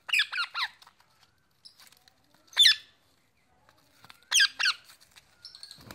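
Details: Indian ringneck parakeet, a male kept as a pet, summoning his mates. Three clusters of loud, grating squawks arrive in fast triplets, with quiet faint chirps and a soft rustle between them.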